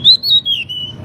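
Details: Short pied bushchat song fragment meant for training birds: a single clear whistled phrase, rising then gently descending and levelling off, with a faint hum beneath.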